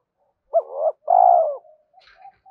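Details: Spotted dove cooing, played to stir and train decoy birds: one low, hoarse phrase of a brief rising note and then a longer, steady, mellow coo, followed by faint soft murmurs.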